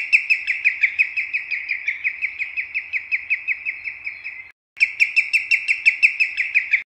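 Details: Common greenshank song of rapid, evenly spaced ringing notes on a steady high pitch, broken by a brief silent gap before the same rhythmic series resumes strongly.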